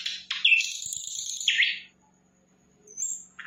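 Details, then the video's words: Flycatcher, known locally as sikatan londo, singing energetically: a few sharp, high, slurred whistles and buzzy notes, then a pause and a brief high whistle, with a faint low hum underneath. "Sikatan Londo Gacor"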